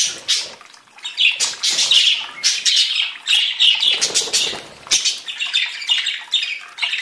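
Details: Group of budgerigars singing, a lively stream of scratchy chirps and warbled phrases in overlapping bursts, a short lull around the middle.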